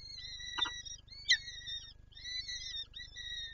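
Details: Female peregrine falcon, Lublin, Poland, 23 April 2024, trying to feed her chicks. Two short, sharp calls stand out against continuous thin, whistled whining with slight pitch wobbles, plus a low hum.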